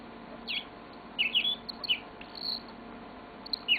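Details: Pet yellow-fronted canary giving scattered high notes: a few short chirps and slurred whistles separated by brief silences, with a faint low hum in the background.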